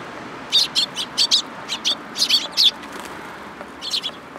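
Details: On 8 July 2022 at a Tenmangu shrine, sparrows come to be fed, chattering in a quick run of doubled, twittering chirps that pauses and then resumes briefly.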